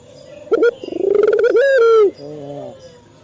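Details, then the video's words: Male local dove used as a training lure for captive doves: a short stuttered note, then a long, rolling, slightly rising coo ending abruptly, followed by a softer lower coo. "Suara burung puter jantan | melatih burung puter lokal cepat bunyi | pancingan burung puter"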